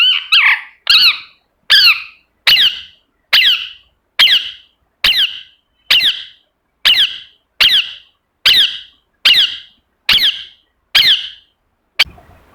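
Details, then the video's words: Pet ringneck parrot calling steadily, one harsh, arched, ringing screech roughly every 0.85 seconds, about fourteen in a row, very even in pitch and spacing, in an otherwise quiet setting. "Parrot Chirping Sound"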